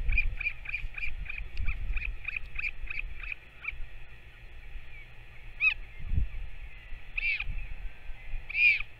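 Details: Northern royal albatross parent and chick at feeding time, 21 May 2024: a fast run of about fifteen short high pulses, then three separate arched wailing calls, with a continuous hum and low rumble beneath.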